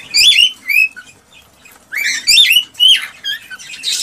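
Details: Song of an excited male cockatiel to encourage a female to breed: loud harmonic whistled notes in two clusters, sliding and warbling, separated by a near-silent pause of about a second.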